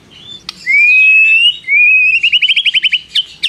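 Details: White-rumped shama song with mimicked prinia phrases and long trills: a sharp click, two long rising whistles, then a rapid string of about ten evenly spaced high notes ending in short chips.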